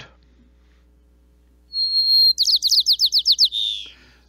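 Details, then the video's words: White-crowned Sparrow song, a winter bird of the Mendocino coast: a long, clear, high introductory whistle, then about eight quick buzzy notes and a final fading trill, all over in two seconds. "okay now let's listen to the song of the white crown sparrow in particular i want you to pay attention again to the first note"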